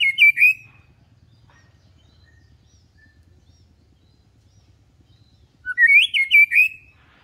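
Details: White-rumped shama tutor song, set low so it stays calm, for young birds learning adult song: two rapid phrases of bright, slurred whistles about five seconds apart, with a faint low hum between.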